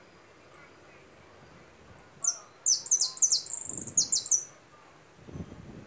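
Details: Goldfinch song of single high notes followed by a lively, tumbling series of quick twittered chirps and a buzzy trill; faint low rustling noises follow.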